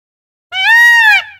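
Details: Indian peafowl (Pavo cristatus), a peacock calling in the forest: a single loud, nasal wail lasting under a second, rich and brassy, holding steady then dropping slightly at the end. Otherwise quiet.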